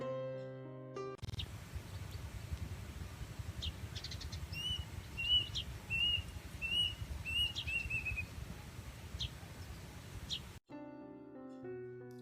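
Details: Plaintive cuckoo (Cacomantis merulinus) calling: a run of about six clear, slightly slurred whistles, evenly paced and falling at the end, over a low hum, with music before and after.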